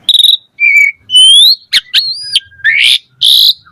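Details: Asian pied starling singing a varied, chattering song: a buzzy note, a long rising pure whistle, then gliding whistles and harsh grating bursts, clear against silence.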